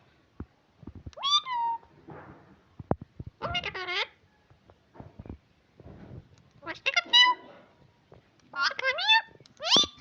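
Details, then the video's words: Household talking parrot speaking: five separate phrases of bright, voice-like syllables with sliding pitch, each about half a second long, scattered across the recording, with soft rustling and taps in the pauses. "parrot Talking, Bata krny Wala tota"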